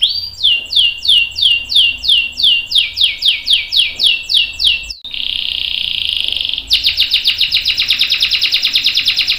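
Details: Canary singing a long roll to get other canaries to join in: repeated downward-sweeping whistles about twice a second, a steady buzzy trill, then a rapid high pulsing trill.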